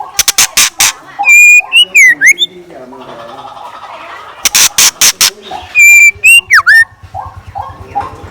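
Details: Morning song of a decoy scarlet minivet: bright whistled notes that slide and dip, repeated in two bouts between clusters of loud clicking snaps, with a low steady hum near the end.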